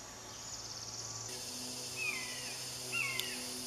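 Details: Fledged young hawk begging while a parent feeds it lizards: two loud, high, downslurred squealing calls about a second apart, over a steady background hum and insect noise.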